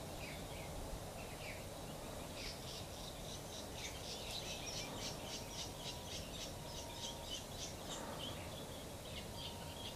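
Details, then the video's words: A mother cliff swallow tends her new babies in Amarillo, Texas, giving rapid, squeaky, high-pitched chirps and busy chatter in quick bursts over a steady low background rumble. "Cliff Swallows Feeding"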